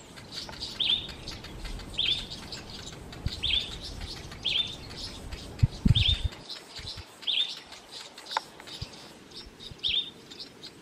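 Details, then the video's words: Garden birds in a garden scolding a male boomslang tree snake over 1 m long, sounding the alarm to other birds; short high chirping notes repeated roughly every second, with faint low rustling below. "Birds scolding a male Boomslang (a tree snake)"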